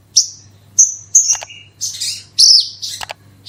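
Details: Branjangan, or Horsfield's bush lark, in 'gacor roll tembak' lure song meant to set other birds singing: scattered shrill whistled notes, a brief lower tone, then buzzy, rattling bursts, with a soft steady hum underneath.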